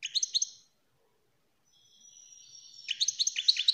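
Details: A short twitter from a European greenfinch gives way to a long, drawn-out nasal wheeze, then quick bright chirping notes. The song is used to encourage other birds to sing and mate.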